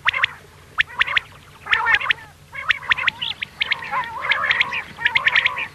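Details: Common quail giving the mewing 'miankan' call played for night hunting: short nasal, harmonic mews with sharp clicks, in uneven bursts of a few notes, over a steady low electrical hum.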